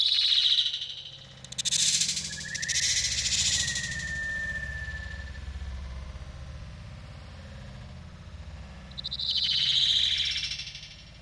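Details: Pet budgerigars give bright chirps and a thin whistled note over a low background hum.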